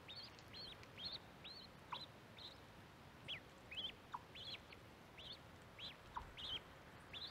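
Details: Baby mallard ducks near a microphone by the corn, peeping loudly and clearly: high arched whistled peeps repeated about twice a second, with occasional lower short notes between them.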